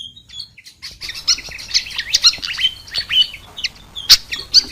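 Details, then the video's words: Fantail lure sound meant to bring wild birds down fast: a steady, hectic chatter of high, sharp chirps and quick slurred notes, with a few louder, piercing clicks. "Suara pikat kipasan ribut"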